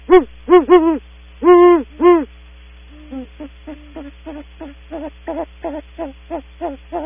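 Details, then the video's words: Female then male great horned owl at Audubon Starr Ranch calling as they leave the nest cavity: five loud, full hoots, then a long, quicker run of softer clipped notes, around 100 a minute, over steady low hum. "Female then male Great Horned Owl vocals when leaving cavity"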